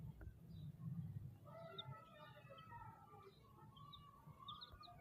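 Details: Chicks cheeping with a stream of mid-pitched wavering notes and occasional high thin peeps, over a persistent low hum.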